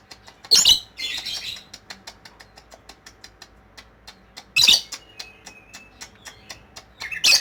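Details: Lovebird singing ngekek: three loud harsh squawks spaced several seconds apart, with a scratchy trailing rasp after the first and steady faint clicking throughout.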